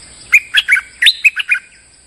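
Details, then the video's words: Streak-eared bulbul lure song from a molting bird singing as usual: one rapid run of about eight bright, clipped, bubbly notes within a second and a half, against a faint steady high tone. "เสียงนกดอกแตงEp.163 จ้าวขุนศึกถ่ายขน ก็สับปกติ!! Suara pikat merbah lekir gacor"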